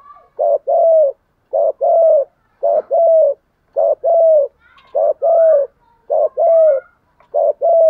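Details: Decoy spotted dove delivering an evenly repeated series of coos in the 'bài lối' pattern. Each pair is a short note then a longer level coo, about eight pairs, with faint higher chirps in the background.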